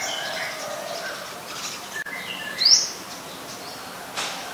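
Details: Adult Common Tailorbird in Ubon Ratchathani, Thailand, 3 February 2023, where it is a common resident: one loud, quickly rising high note midway, with softer chirps of other birds and a brief click before it.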